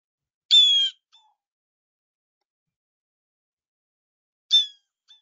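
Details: A Blue Jay, common in parks and urban areas, gives two harsh, grating screeches, the first longer, about four seconds apart with silence between.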